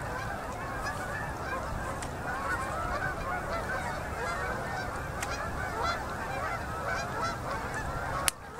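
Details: Canada geese pour in to land on a Manitoba river at dusk during October 2018 migration. A thick chorus of honks continues throughout, with a few sharp clicks and a sudden knock near the end.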